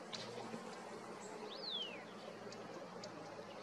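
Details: One clear, high, drawn-out whistle from a slaty-headed parakeet in Himalayan forest, rising briefly then sweeping steadily down, over broad soft background hiss.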